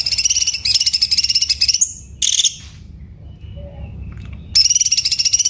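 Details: Training song of a sooty-headed bulbul: a fast pulsed trill breaks off into a high whistle and a short buzzy burst, a quiet pause, then the rapid trill returns.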